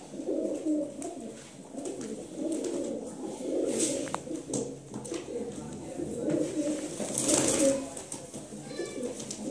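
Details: Kaldume pigeons, a domestic breed, give low, throaty overlapping coos in steady rolling bursts, several birds at once, with faint human voices and brief rustling or wing sounds in between.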